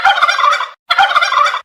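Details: Turkey gobbling in two loud, harsh, rattling bursts, each about three quarters of a second long, separated by a brief silence.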